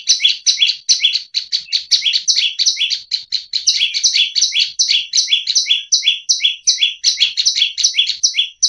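A tailorbird sings a loud, high, rapid run of sharp two-part chirps, about two or three a second, with no other sounds.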